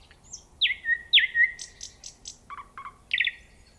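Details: Nightingale song with loud downslurred whistles repeated twice, a few bright high clicks, then lower stuttering notes and a final quick rasping trill, phrases spaced about a quarter second apart with quiet background.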